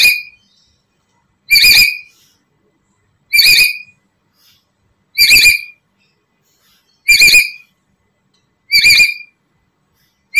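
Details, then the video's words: Black-capped lory calls used as a lure for trapping and training other lories: loud, harsh, squeaky screeches with strong high overtones, each about half a second long, repeated roughly every two seconds in a quiet indoor setting. "Pancingan Burung Nuri kepala Hitam"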